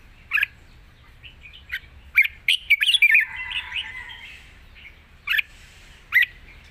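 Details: Red-whiskered bulbul singing a long song in a wild style, mixing song with short rik notes: bright chirpy warbled phrases, sharp clipped notes around a fluttering run of whistles, then isolated crisp chirps after pauses, quiet background.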